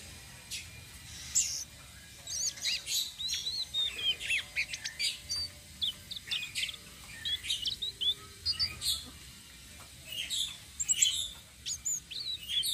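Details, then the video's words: Tledekan sitrun selendang biru flowerpecker in rolling 'ngeroll' song, used as bait to lure other birds; thin, high chirps and short twittering bursts come in quick irregular runs with brief pauses. "BURUNG TLEDEKAN SITRUN SELENDANG BIRU NGEROLL||BISA BUAT PANCINGAN"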